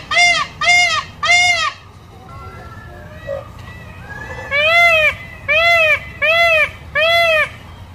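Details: An Indian peafowl peacock gives loud, nasal, wailing honks in quick bursts, each about half a second long: three, then a pause with faint calls, then four more.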